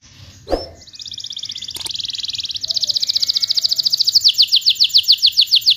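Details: Canary song used as a lure to spur canaries that have stopped singing: a faint start, then a long rapid high trill that swells louder, ending in distinct fast repeated notes.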